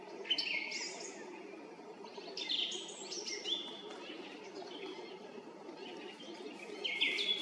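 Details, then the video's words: Evening song of a song thrush perched atop a roadside tree in Zarechny, 18 April 2021, 18:50: scattered whistled and chirpy phrases with pauses, fairly faint over steady low-pitched background rumble. "Певчий дрозд 18/04/2021 вечером (18:50) поёт на макушке дерева"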